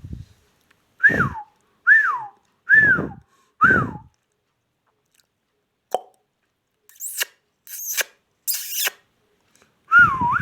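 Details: A pet ringneck parrot repeats a rising-falling whistled phrase four times, about one per second, then falls quiet apart from scattered clicks and sharp high squeaks before one more whistle at the end.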